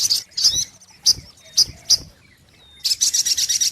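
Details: Brown-throated sunbird lure recording: several separate sharp, high chip notes spaced about half a second apart, a thin whistled slide, then a fast high buzzy trill.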